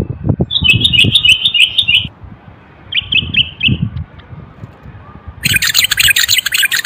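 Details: Common bulbul, a Moroccan male, in song meant to spur other males to sing and ready females for breeding. It gives two runs of rapid warbled notes. Low knocking sounds come beneath, and a harsh buzzy noise enters near the end.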